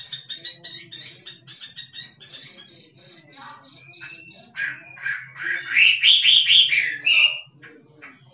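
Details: Wild forest Chinese hwamei singing in the kích trống style: fast runs of short clipped notes that swell into loud, rich, rolling whistled phrases, with a low steady hum underneath.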